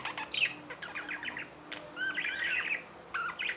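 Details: Tame pet budgies chattering: bursts of scratchy, warbled chirps with a brief rising whistle near the middle, separated by short pauses, and a steady faint hum in the background.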